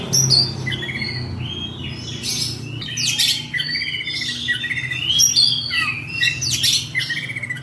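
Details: Varied, energetic oriental magpie-robin song in ngobra style, mixing buzzy bursts, high whistles and rapid trilled phrases, over a loud low hum in the background.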